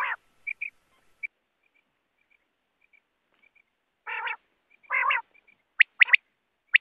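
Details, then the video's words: Sparse quail calling: short high chirps, a pause with faint ticks, two rough buzzy bursts, then sharp paired high notes. "Latest Quail sounds || Bater ki awaz || Batair ki awaaz"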